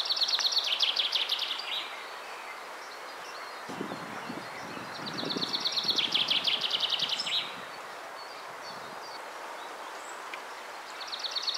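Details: A common chaffinch sings three bright, descending rattling phrases, each about two seconds long and ending in a flourish, then drops to feed on the ground, flies off and sings again; low rustling and soft background noise underneath.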